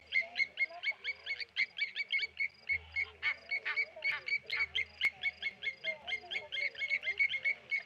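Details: Mobbing lapwings at a waterhole, Blacksmith lapwings harrying a Tawny eagle at Okaukuejo Resort: dense, sharp metallic clicks, about four or five a second, unbroken throughout, over a low droning hum.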